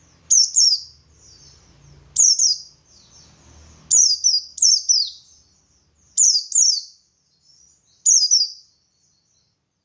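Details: Ngalas-style song of a buxtoni white-eye, played to make other white-eyes respond: bursts of two or three sharp, falling high chirps about every two seconds, soft twittering between them, faint low hum.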